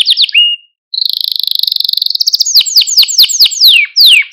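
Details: Canary singing a training song to excite and stimulate birds: a few quick chirps, a brief silence, then a fast steady trill, followed by sharp downward-slurred notes in a rapid series.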